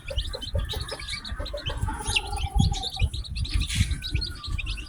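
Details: Freshly hatched chicken chicks peeping constantly, many thin, high, quickly falling chirps crowding over each other, with low thumping and rumbling noise underneath throughout.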